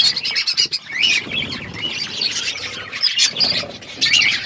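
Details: Parrot eating, recorded February 25, 2024: a run of quick clipped chirps opens the recording, followed by a continuous chatter of overlapping high tweets and squawks with short loud bursts.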